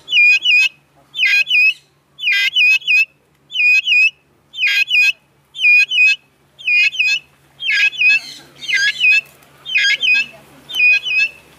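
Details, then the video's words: Vulturine guineafowl (Acryllium vulturinum) give high, metallic, chinking calls in short clustered bursts about once a second, over a faint low hum. "Vulturine guineafowl sound"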